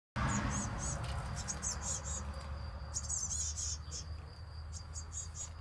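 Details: Blue tit nestlings in a nest, not being fed, give thin, very high chirps in quick bursts, about three or four a second, over a steady high whine and a low background rumble.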